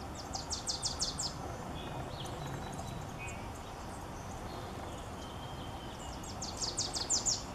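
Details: Wilson's warbler song: a rapid series of high, sharp chattering notes repeated quickly, one burst at the start and another near the end, over steady low background noise with faint other high calls between.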